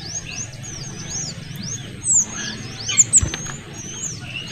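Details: Small minivets (Pericrocotus cinnamomeus), males and females together, give thin, very high, arched whistles in quick overlapping, noisy series like a small flock calling, over a faint low hum.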